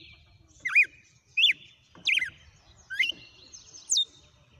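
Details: Red-cowled cardinal in captivity singing five loud whistled phrases, each a quick swoop with a twisting down-up shape, spaced about three-quarters of a second apart, the last rising higher and ending in a thin buzz.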